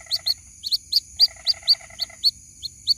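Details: White-breasted waterhen chick calling for its mother, repeating high, piercing peeps about three per second, accompanied at first by a lower buzzy pulsed rattle; a steady high whine underlies everything.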